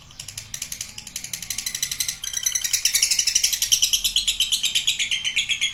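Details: Lovebird giving a long ngekek trill: dense rapid chattering notes pulsing about twice a second, building louder and shifting slightly lower in pitch toward the end, in a small indoor space.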